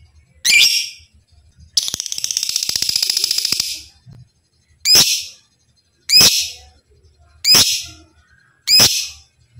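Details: Caged lovebird from a training recording: a single harsh shriek, then a long, buzzy, rapid 'ngekek' chatter trill of about two seconds, followed by four more rasping shrieks at even intervals of about 1.3 seconds.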